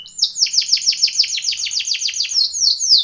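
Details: Timbrado canary training song: a fast series of high, sweeping notes, each dropping in pitch, repeated about five times a second in a steady, bright rolling trill with no other sounds.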